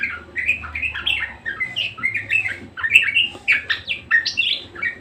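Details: Budgerigar, a parakeet, chattering tirelessly in full song: a rambling stream of squeaks, twitters and harsher rasping notes rising and falling, with a low hum in the background.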